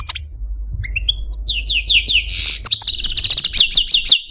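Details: Caged pet Algerian Parva goldfinch singing: a few whistles, then a steady run of repeated slurred notes building into a rapid buzzy twittering trill.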